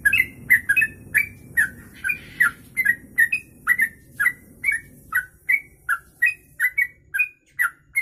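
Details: Long 'kongslet ropelan' song of a sooty-headed bulbul (trucuk), suitable as tutor material: quick series of clear whistled slurs repeated about twice a second, with low rumbling noise early on that fades.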